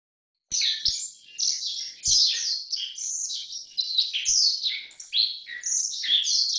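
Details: Black-faced bunting, Emberiza spodocephala: high, rapid chirps and buzzy, slurred notes that run almost without pause and rise and fall in quick bursts. A few soft low thumps are heard; there are no other birds.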